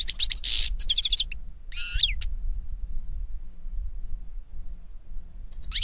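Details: European goldfinch (Carduelis carduelis) singing in nature: two bursts of bright, tinkling twitter in the first two seconds, then a quiet pause before another high, jangling phrase starts at the end.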